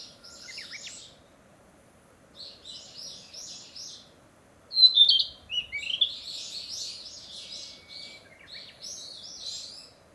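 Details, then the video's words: Narcissus flycatcher singing busily to claim territory after arriving from the south to breed: scattered soft whistles, then a loud, rich phrase of rolling whistled notes that runs on for several seconds. "キビタキ!七色のさえずり[Narcissus Flycatcher]"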